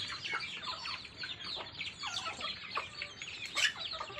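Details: Chicks peeping while feeding, a thick chorus of high, quick downslurred chirps with a few sharp tapping clicks.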